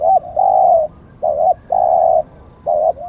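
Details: Spotted dove used as a decoy bird: three mellow low coo phrases, each a short wavering note that runs straight into a longer, steady, slightly falling coo, repeated about every second and a half.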